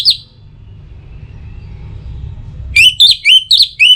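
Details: Orange-headed thrush song as a morning and evening lure to make birds sing: after a brief note and a quiet stretch, five looping slurred whistles follow quickly one after another.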